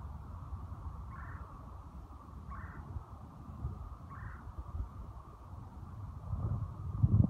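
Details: A Red-bellied Woodpecker (Melanerpes carolinus) in Cincinnati, Ohio gives three short, rolling calls about every one and a half seconds over low rumble.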